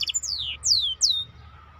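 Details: Maestro bird singing live: a quick burst of very high chips, then three loud, clear whistled slurs, each sweeping steeply downward from a piercing pitch, separated by short pauses over a faint low hum.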